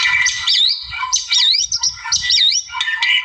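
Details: Rival-provoking song from a wild white-rumped shama, high wavering whistles that swing quickly up and down, repeated in bursts with harsher chatter between them.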